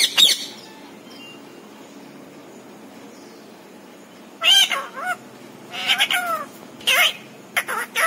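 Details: Pet parrot imitating speech such as papa and mummy; one brief word at the start, a pause, then a burst of rapid nasal spoken syllables clustered toward the end.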